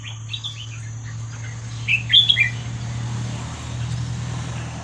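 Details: Red-whiskered bulbul giving the 'hua khrok khayao khuat' song style, used to teach young birds; one brief cluster of clear whistled notes midway, over a loud low hum and background hiss.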